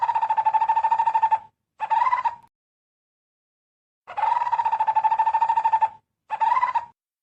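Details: Barbet calling companions to ripe fruit: two phrases, each a long, level, rapid trill followed by a short, slightly rising trill, with a silent pause of nearly two seconds between them.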